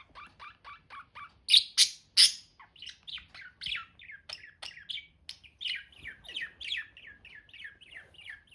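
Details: Budgerigars kept as pets chirping steadily: a fast run of short, bright, slurred chirps, several loud sharp ones early, then rapid descending notes at roughly one or two per second, indoors with no other sounds.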